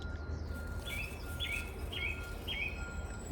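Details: In a local woodland on a cloudy spring morning, a song thrush repeats the same short, bright whistled phrase four times, about every half second. Underneath are a low rumble and a faint steady hum from a log-collecting vehicle nearby.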